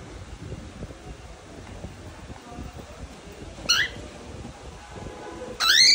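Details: A playing pet cockatiel gives two short, bright, arching chirps over a quiet background hiss.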